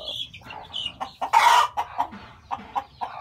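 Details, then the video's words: Chickens at a farm where a hen's eggs are hatching into newborn chicks; short clucking bursts spaced irregularly, with a louder noisy rustle in the middle and faint higher peeps early on. "hen hatching egg to chicks"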